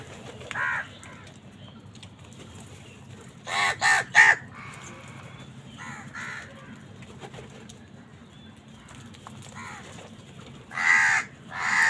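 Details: Crows fighting with wild birds for food; harsh, raspy caws come in short bursts: one early, a quick cluster of three around the middle, a softer one after, and a loud drawn-out caw near the end, over a steady low hum.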